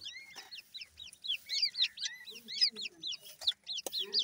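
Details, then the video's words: Grey francolin (teetar) chicks calling together: a dense chorus of high, thin, arched peeps, many rising then falling, overlapping in quick irregular bursts, with scattered sharp clicks. "teetar bird chicks,grey francolin birds chicks awaz"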